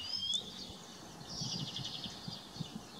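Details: Italian sparrow (Passer italiae) giving thin, high chirps and a quick run of short twittering notes, fairly faint over a low outdoor rumble.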